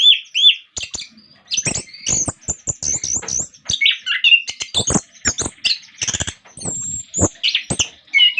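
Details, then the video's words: Energetic orange-headed thrush song, used to provoke other orange-headed thrushes into singing: dense, rapid mix of high thin whistles, mimicked-sounding notes and sharp dry clicks in quick succession, with brief gaps between bursts. "Anis kembang gacor pancingan bunyi"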